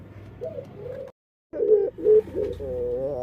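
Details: Dove with an unusual voice, possibly defective: a few soft coos, a sudden silence, then louder clipped coos and a wavering drawn-out final note.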